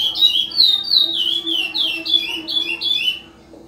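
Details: Chestnut-bellied seed finch, a captive-bred curió, performing Ana Dias style song in the 2020/2021 season: clear whistled phrases stepping downward in pitch, notes sliding and warbling, ending abruptly, over a low steady hum.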